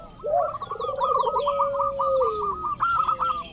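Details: Zebra dove of the local kind, played as a lure for rival doves: a curling opening note, a low bubbling trill and a long falling coo under a steady run of fast clipped notes.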